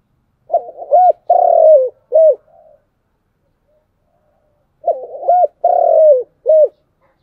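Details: Spotted dove giving cooing phrases in the chiêu and thúc styles: two phrases about four seconds apart, each a quick double note, a long mellow coo sliding downward, and a short closing coo, with a soft trailing note after the first.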